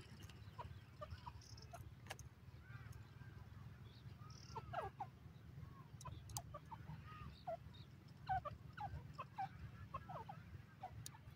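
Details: A partridge (teetar) calling in a forest gives short, clucking notes in irregular bursts, several per second at times, over a steady low rumble of background noise.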